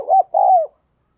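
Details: Decoy spotted dove cooing to lure wild doves: two short, low, hoarse coo notes, the second longer and slightly falling, then silence.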